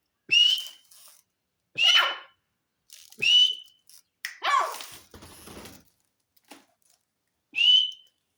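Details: Partridge (teetar) calling: loud, clear whistled notes that sweep up and hold steady, given singly about every one to two seconds in a quiet setting, with a short noisy scraping sound midway.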